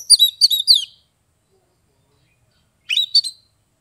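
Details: Caged Oriental magpie-robin from Kebumen, Central Java, singing in the ngeplong style, meant to coax silent or lazy birds into song: a rapid burst of sharp, sweet chirped notes, a pause of two seconds, then a shorter matching burst.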